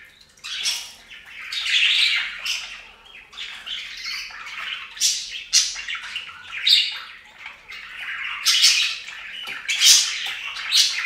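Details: Budgerigars splashing in a bird fountain keep up continuous scratchy warbling chatter, mixing harsh squawks and quick chirps in a busy, unbroken stream, indoors.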